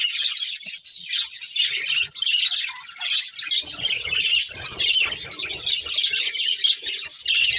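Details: Budgerigar breeding pair chattering nonstop, a busy stream of high, scratchy warbles and quick tweets that barely pause, with faint low rustling in the background.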